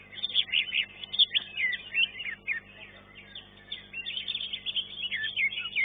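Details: Green leafbird performing at a singing contest where it took third place; rapid, jumbled chirps and sweeping whistles in two busy bursts separated by a brief lull, with faint voices in the background.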